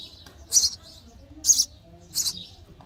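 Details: Sparrow nestlings begging while being fed, three short, harsh high chirps spaced evenly over about three seconds.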